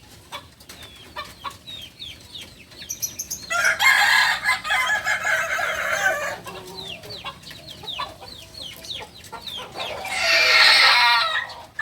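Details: Balenggek chicken, native breed of Solok in West Sumatra, a beginner rooster, gives two crows, a long multi-step one near the middle and a shorter one near the end, amid constant chirping of many small birds.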